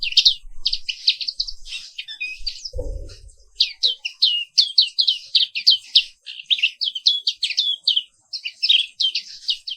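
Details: Morning song of a caged black-capped white-eye, a species found only in Indonesia: a fast, continuous twittering stream of high chirps and trills, briefly interrupted by a low thump.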